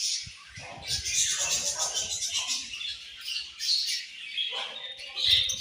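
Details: Australian budgies keep up steady chirping: high, buzzy warbles and rapid twitters layered from several birds, with faint low rustling beneath and a sharp squeak near the end.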